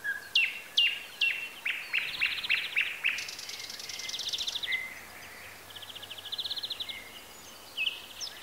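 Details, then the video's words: Birdsong from Bessarabia, Ukraine, recorded with a Zoom H4n: a series of sharp downslurred chips repeated about twice a second, then buzzy trills and a fast rattling phrase, all high-pitched against soft hiss. "Sounds of nature. Birds. Звуки природы.Птицы"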